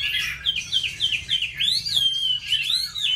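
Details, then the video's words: Oriental magpie-robin singing in a duel against bulbuls, laughingthrushes and doves, delivering a series of clear whistled notes that rise and fall, with short slurred phrases several times a second and a longer looping whistle near the end. "Mi Chòe hót đấu cùng chào mào, khướu , cu gáy..."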